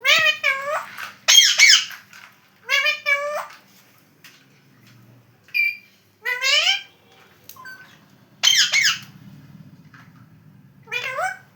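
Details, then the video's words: Pet Alexandrine parakeet talking, mimicking words such as "Mama": about seven short, raspy, harmonic phrases with a speech-like rise and fall, separated by brief pauses, over a faint low hum. "Mera Alexandrine Parrot Kaise Bolta Hai?"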